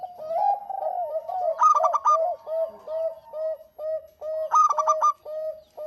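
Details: Lively local zebra dove song: a steady stream of mellow rolling coos broken twice by brief bursts of sharp, rapid stuttering notes.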